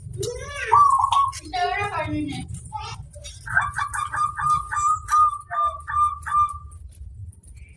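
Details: Local zebra dove with a very loud, big voice, used as a lure to get other doves answering. Speech-like sounds and a low hum come first, then a fast series of short, even cooing notes with a steady pitch, repeated for about three seconds.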